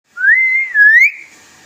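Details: Talking hill myna from Bangladesh, said to whistle, speak many words and call people by name; a clean, loud whistle rises, holds level, dips, then climbs again, lasting about one second in a quiet room.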